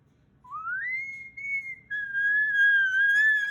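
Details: Moluccan cockatoo, a pet male, calling indoors before bed in June 2020 while his owner plays and talks with him; clear tonal whistles, one rising smoothly and held, then a second long steady whistle at slightly lower pitch.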